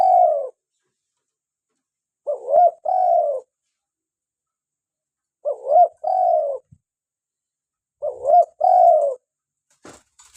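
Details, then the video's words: Local spotted dove calling steadily, recorded for luring and for prompting kept doves to sing. A trailing coo, then three full phrases roughly every three seconds, each a soft double note and a long, gently falling coo. A faint click at the end. "PANCINGAN SUARA ASLI BURUNG TEKUKUR LOKAL GACOR"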